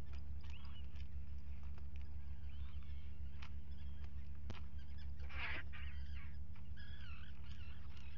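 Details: Common guillemots where two chicks hatched, live camera, 27 June 2020; sparse clicks and brief calls early on, a loud rough burst near the middle, then wavering, warbling high notes, all over a steady low hum.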